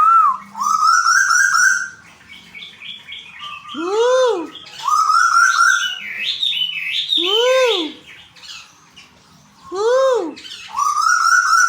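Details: Captive white-billed Tuwu from Bogor gives rising whistled phrases alternating with loud, swooping arched notes about every three seconds, over high rapid chatter from other birds; said to call loudly day and night.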